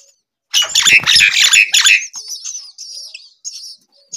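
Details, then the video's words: Baby myna, hungry, begging loudly: a rapid run of harsh, grating squawks at about three per second, fading into softer thin wavering high whines. "A baby Myna bird was hungry"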